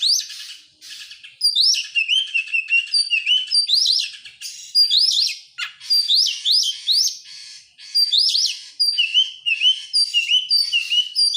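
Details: Oriental magpie-robin song serving as a lure to make other birds sing: rising whistled upslurs and buzzy trills in quick succession, interspersed with steady lower whistled notes, continuous and loud.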